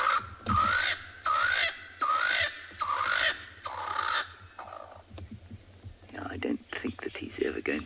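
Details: Swainson's spurfowl giving its territorial call at sunset in cold night air, 23 June 2020, Tswalu Kalahari Reserve, South Africa: five harsh, grating crows about one a second while another calls to the north, then a man speaks.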